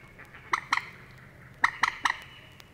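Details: Common moorhen in the reed beds of Matsalu, Estonia, in a 1979 field recording, giving short, abrupt, throaty notes: a pair, then three in quick succession about a fifth of a second apart, over a faint steady hiss.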